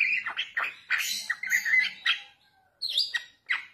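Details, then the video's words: Lure recording of young Bali mynas: loud squawky, rasping chirps in irregular bursts, with a short quiet gap before further harsh notes. "Pancingan Jalak Bali Muda"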